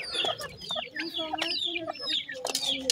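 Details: Group of teetar, or grey francolin, chicks giving shrill downslurred peeps repeated every fraction of a second, with a few sharp knocking clicks and a faint low murmur beneath.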